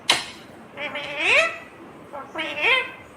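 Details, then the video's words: Talking ringneck green parrot: a sharp click followed by two rising, harmonic speech-like phrases, each ending on a bright upward-swept tone. "Natural Sound of Talking Ringneck green parrot"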